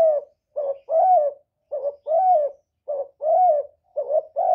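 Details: Decoy spotted dove cooing in a contest with a wild bird: low, hollow coos in pairs, each a short clipped note followed by a longer slurred coo, four pairs in under five seconds, clean with no other sounds.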